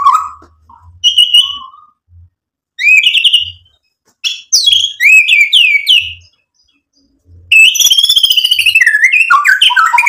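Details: White-rumped shama delivering varied song material: isolated whistles and short phrases with silent gaps, then a sweeping series of rising notes and a dense, fast chattering warble at the end.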